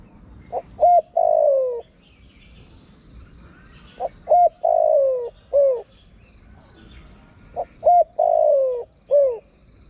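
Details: Spotted dove call used to attract wild birds: three full phrases, each two short hoots then a long falling coo and a short falling note, repeating about every three and a half seconds, with faint high chirps of small birds behind.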